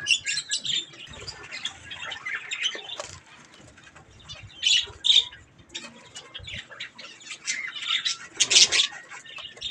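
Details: Pet budgerigars chattering while they eat strawberries: a dense, scratchy warble of high chirps and squeaks with louder bursts near the end.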